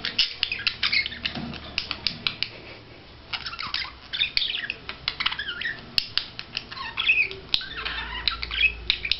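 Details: Budgerigar performing its courtship display, a lively chattering warble of clicks, squeaky whistles and harsh squawk-like notes delivered in quick uneven runs.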